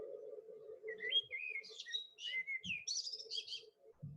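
A blackbird sings one mellow, fluting phrase of rich whistles, ending in a high, squeaky twittering flourish, over a steady low hum.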